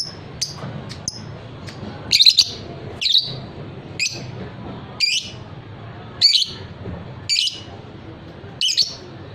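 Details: Repeated piercing squawks from a fighter lovebird, the kind prized for ngekek singing, recur roughly once a second, each a short harsh burst, with scattered thin ticks between them.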